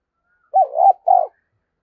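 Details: Spotted dove decoy bird cooing to stimulate other doves: a low, mellow coo in two parts, a short lead-in sliding into a longer hollow note, then a separate rounded coo after a brief pause, in clean silence.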